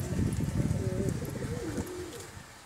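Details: Home-kept pigeons from a hobby loft giving a deep, throaty coo that rises and falls for about two seconds before fading, over a low rumbling background.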